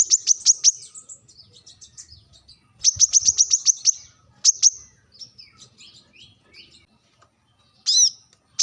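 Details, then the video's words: Brown-throated sunbird sharp rival call: short clusters of rapid high chips alternating with softer, thinner twittering notes and pauses, ending with a bright emphatic note and a single chip. "kolibri kelapa | manggar | wiceh | suara tajam memanggil lawan"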